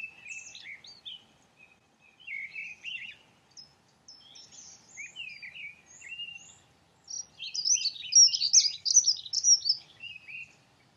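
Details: Dunnock singing: scattered thin high notes build into a loud, hurried, jangling warble lasting about three seconds, set against near silence.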